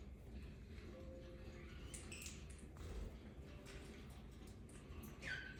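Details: Pet cockatiel grinding its beak while settling down to nap on its owner: faint, dry scratchy scrapes come in short irregular bursts over a quiet indoor hum, ending with one brief high chirp.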